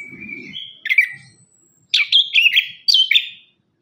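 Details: Orange-headed thrush in vigorous lure song, used to prompt birds that sing little after moulting: a steady high whistle, then loud slurred, warbling phrases in two bursts after a short silence. A faint low hum is heard early.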